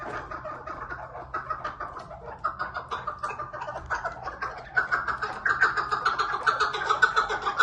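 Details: Chukar partridge giving rapid, repeated clucking chuck notes that build in loudness and pace toward the end, roughly two per second.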